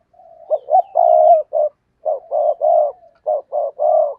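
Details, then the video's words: Decoy spotted dove cooing to draw in wild doves, giving a steady run of low, throaty coo notes in short groups of two or three, rolling and rhythmic, with brief gaps between groups and no other sounds. "Tiếng Chim Cu Mồi Thúc Gù/ chim cu gáy kích bổi/ mở là gáy"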